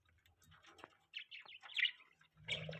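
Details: Budgies chirp while mating, soft at first, then a run of clearer warbling high notes and a louder burst of chatter at the end over a faint low hum.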